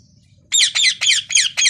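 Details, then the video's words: Parrot giving five loud, harsh squawks in quick succession, each a buzzy, falling burst with a rough edge, after a short near-silent start with faint low hum. "Natural sounds parrot"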